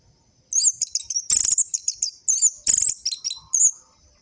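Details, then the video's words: Orange-headed thrush song played as a lure to stir silent captive birds into singing: quick high chirps and twittering phrases, with several dense buzzy bursts packed among thin squeaky notes. "Pancingan burung anis merah macet dan malas bunyi"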